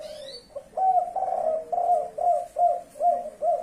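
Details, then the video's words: Blorok leopart spotted dove calling in kuk 5 style, a faint brief high chirp at the start, then a steady series of hollow, even-pitched coos repeated a little over twice per second. "burung tekukur blorok leopart, kuk 5"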